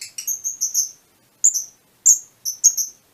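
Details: Fischer's lovebirds of a mutation colour form: a fast run of four or five high, piercing tweets, then single and paired shrill chirps spaced irregularly across a few seconds.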